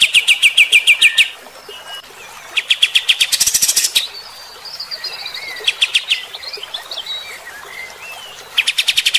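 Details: Bulbul in rough 'tembakan' song aimed at fighter-type birds: bursts of rapid high chips alternating with a harsh noisy rattle, stretches of softer slurred twittering whistles, and a final fast volley of sharp notes.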